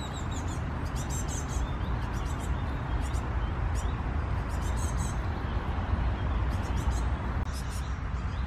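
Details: Tit nestlings being fed by parents, 6 June 2016, give very high, thin chirps in quick bursts every second or so, partly masked by a steady low rumble.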